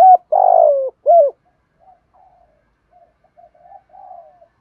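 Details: Cooing of Spotted doves, male and female, used for training captive birds: a phrase that starts partway through, with a rough falling coo and a clear coo, then several faint, distant soft coos.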